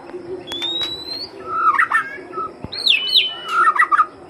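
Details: White-rumped shama lure song: a long drawn rising whistle, a pair of warbling twisted phrases, then looping high notes and a warbled ending, over a faint steady hum.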